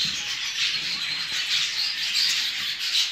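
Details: Show jumbo budgerigars kept for breeding; dense, continuous high chattering and warbling from many birds at once, with brief brighter chirps standing out now and then.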